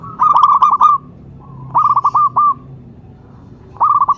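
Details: Three clear phrases of a local Zebra dove lure call, each a short rolling trill of rapid coo notes, separated by quiet gaps of about a second and a half.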